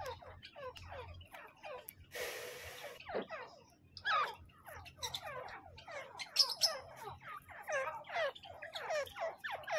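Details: Grey francolin (teetar), male and female, giving fast series of harsh descending notes; a short burst of broadband noise interrupts early, then the calling resumes louder and denser.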